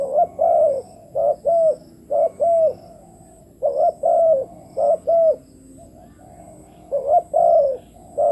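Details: Decoy spotted dove luring wild doves, giving rapid series of hoarse paired coos, several phrases back to back, a brief pause, then more cooing.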